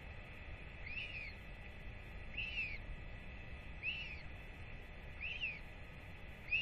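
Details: Royal albatross chick, fed by both parents after a weight check and wheeing with excitement as its father walks up, recorded 8.10.24; clear arched whistles, rising then falling, repeated about every one and a half seconds over a steady hiss.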